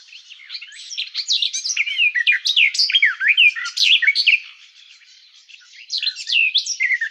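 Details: Rapid, pleasant warbling of a garden warbler, a flowing run of varied whistled and twittering notes that softens briefly before picking up again at the close.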